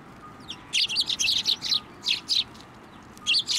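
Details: Sparrows hopping onto a person's hand for food at a Tenmangu shrine on 15 November 2023; loud, high, rapid chirps in a dense burst, then two shorter clusters after brief pauses, over a faint steady background hum.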